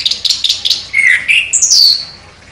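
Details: Chestnut-capped thrush, a contest champion, singing sharply. Quick high chipping notes open the phrase, followed by a lower warbled whistle and a bright, high, slurred note that trails off.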